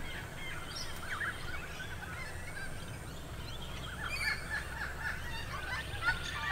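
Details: Noisy friarbirds at Spring Mountain, Logan, Queensland, on 26 September 2022 give harsh, raucous cackling notes in short bursts, over a steady low rumble of wind or distant traffic.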